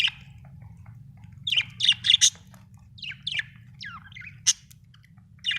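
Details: Budgerigars chirping: short bright chirps and squeaky descending notes in bursts, a cluster around the middle and scattered single calls, over a low steady hum.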